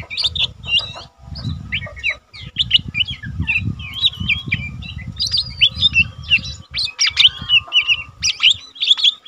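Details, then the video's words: Caged young Lesser green leafbird in full voice for tutoring other birds: sustained rapid jumble of chirps, short whistles and mimicry-like warbles, almost without pause, over repeated low rumbling noise. "cucak ijo mini bahan udah rajin bunyi cocok untuk masteran burung cucak ijo mini bahan lain nyah"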